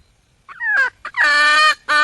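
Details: Female wild junglefowl calling to find a male: a short bent squawk, a brief note, then a long, even, nasal honk-like tone and the start of another.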